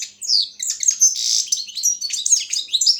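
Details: Balkan goldfinch (Carduelis carduelis balcanica) in a world song championship held online in Serbia, delivering a fast, liquid run of chirps, thin whistles and a rasping buzzy burst, continuous and high-pitched throughout.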